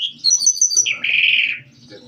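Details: Calandra lark with a brief burst of song: quick, high, chattering notes, then a lower, rough buzzy note held for about half a second before it fades into quiet.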